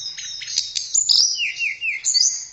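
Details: Brief, softer passage of blue flycatcher (tledekan) song: high thin warbling, a sharp click, then a row of four lower descending slurred whistles and a rising high phrase.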